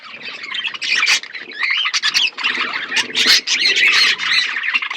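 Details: Budgerigars in a flock chirp while eating, a loud overlapping mix of warbles, squawks and sharp clicks with faint low background noise.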